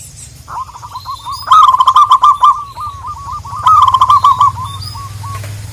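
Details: Local zebra dove calling a rival: two loud bursts of rapid, rolling cooing notes, each followed by a trailing series of softer hooked coos. Faint higher chirps from other birds sound in the background.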